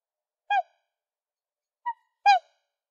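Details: Black swan calling three times: a strong brassy honk, a shorter softer note, then another strong drawn-out trumpeting honk, against complete silence.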